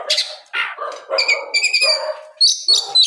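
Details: Oriental magpie-robin in full afternoon song, used to provoke other magpie-robins to reply. Scratchy, buzzy phrases give way to steady high whistled tones and ringing chirps in quick succession.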